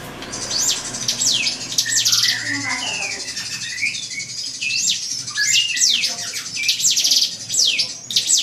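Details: Drongo song for provoking an opponent: clusters of sharp high downslurred chirps and buzzy trills, mixed with lower chattering whistled notes, rising and falling in bursts over continuous background noise.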